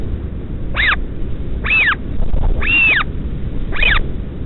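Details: A northern royal albatross chick begs from its parent during a midnight feed at Pukekura/Taiaroa Head near Dunedin, New Zealand. It gives four separate high whistled wails, each rising then falling. Constant low wind rumble underneath.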